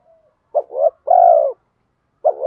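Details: Spotted dove with bronze 'giọng đồng' voice in 'thúc gù kèm mắt me' style, luring wild doves; a brief double coo rising into a long, steady mellow coo, then another double coo begins.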